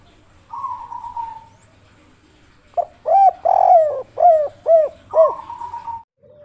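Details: Zebra dove three-part coo used as a lure call: a drawn-out soft trill, then a sequence of rolling, bubbling coos, about five in quick succession, ending in another sustained trilled note.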